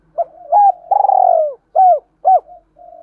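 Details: Decoy spotted dove cooing to lure other doves: a soft rising opening note, a long throbbing mid-pitched coo, then two short arched hoots and a faint trailing note, in a quiet setting.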